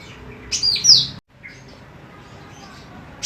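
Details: Golden cucak rante female, a lively singer used as a master recording for training birds, gives two bright, high downslurred whistles in quick succession, then quiet with only faint background noise.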